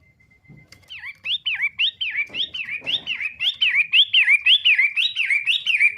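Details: After a brief flat tone and some soft rustling, a Long-tailed shrike of the matahari type launches into a quick series of bright, upslurred-then-falling whistles, roughly two each second, growing louder as the phrase goes on.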